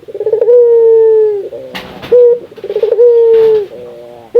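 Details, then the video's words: Barbary dove from Indonesia, whose call is meant to prompt other doves to call. Each phrase is a short rapid roll and then a drawn-out low coo that sags at the end. Brief knocks sound between phrases. "Suara burung puter lokal gacor, merangsang burung puter agar rajin bunyi"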